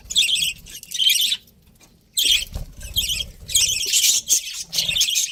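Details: Breeding pair of pet budgerigars with clusters of high, grating chirps and squawks, broken by a silent pause of almost a second mid-way, then resumed chatter.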